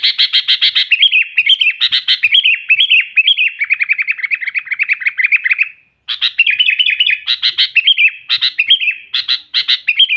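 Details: Sooty-headed bulbul in full, nonstop song, used to call rivals and lure wild bulbuls: rapid run of bright, warbled, down-slurred notes with sharp chattery accents, a brief pause near six seconds, then renewed fast phrases; a faint steady high whine behind.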